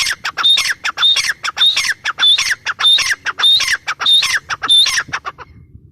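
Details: Grey francolin in full voice, a rapid, regular chain of whistle-and-squawk phrases, about one and a half per second, fading out at the end.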